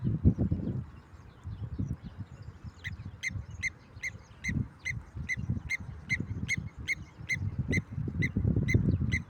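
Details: Blacksmith lapwing, spotted on a walk, giving sharp clinking notes repeated steadily about twice or three times a second for several seconds, over loud crunching footsteps and rustling.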